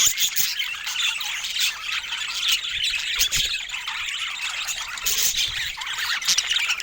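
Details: Budgerigars warbling and squawking in a constant jumble of high, grating chirps and short squeals.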